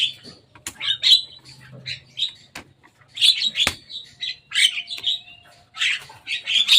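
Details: Javan myna on a cage roof, mixing sharp clicks, squeaky chirps and grating chatter in irregular bursts, with a sustained low hum in the background.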